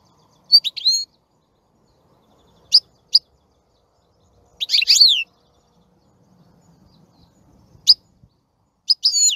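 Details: European goldfinch giving scattered short, high twittering phrases with long silent gaps between them, plus faint low background noise.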